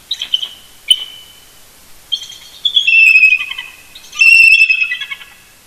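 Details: Early-morning duet of a mated eagle pair roosting close to the nest, Big Bear Lake, California, on November 18, 2018: a few separate high piping notes, then two loud, fast, stuttering chortle sequences.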